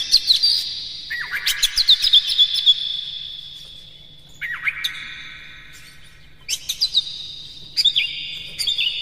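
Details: Morning lure song of an Oriental magpie-robin for stimulating captive birds: rapid rhythmic chips and whistled sweeps in separate bursts, each phrase opening with a falling slur, over a faint low hum.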